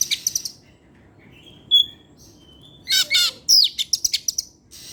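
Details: Oriental magpie-robin singing in the afternoon with varied material: a few sharp opening notes, a thin sliding whistle, then strong buzzy bursts and a quick string of clipped high notes.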